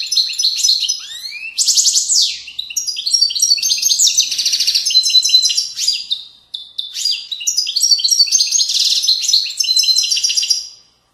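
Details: European goldfinch in the authentic Moroccan widaniya song style, from the banks of valleys. It sings long, continuous, high liquid twittering with rising slurs, rattling trills and jangling phrases, pausing only briefly midway.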